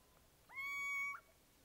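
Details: Little owl calling: a single drawn-out, mewing note that swoops up, holds level for about half a second, then ends in a brief upward flick, heard against quiet background.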